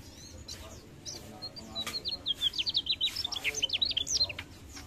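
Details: Mugimaki flycatcher singing actively: after a quiet start, a fast run of thin, high, slurred chirps and short whistles, about three per second, forming a busy warbling phrase over low background hum.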